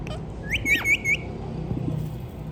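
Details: Indian ringneck parrot kept as a pet, giving a short run of three harsh, high screeching notes in quick succession, with low background hum.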